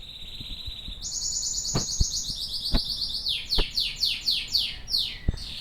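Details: Domestic canary song opening with a steady high trill, stepping up into a faster bright rattling roll, then ending in a series of quick downward-swept notes repeated several times a second, with occasional soft clicks and taps behind.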